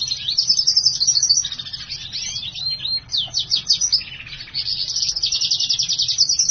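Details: Hybrid of black-hooded siskin and house finch in continuous song, fast twittering trills broken by sweeping slurred notes and a brief lower warble, then rapid rattling trills again, loud and close.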